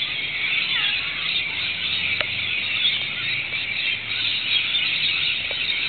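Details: Wild Rainbow Lorikeets and other local birds in Australia calling as rain begins after several sweltering hot days, a dense continuous wash of shrill screeching with a few sharp clicks and drips.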